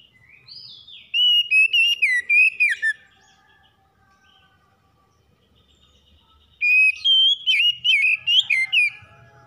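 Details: Magpie-robin singing in the morning: two bursts of fast, ringing whistles with sharp up-and-down slurs, separated by nearly four seconds of quiet with faint notes.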